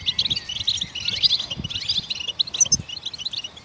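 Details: A goldfinch's twittering song, used to prompt other songbirds into song: choppy bursts of high chirps and short buzzy notes, a sharper accent near the end, faint low knocks behind.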